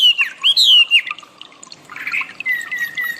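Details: Wambi song used as training audio for cage birds: loud, clear whistled notes that swoop and slur, followed by a burst of scratchy chatter and a long, level, slightly falling high whistle.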